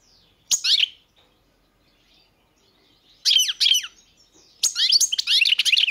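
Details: European goldfinch giving brief, scattered bursts of twittering song. Three clusters of rapid liquid chips and buzzy notes are separated by seconds of near silence.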